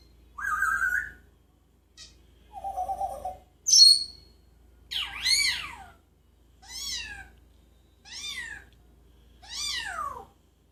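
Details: A singing pet parrot in Jeddah, known for imitating sounds, runs through varied whistles: a steady mid tone, a lower hum-like note, a sharp high chirp, then several swooping down-slurred whistles repeated roughly every 1.5 seconds.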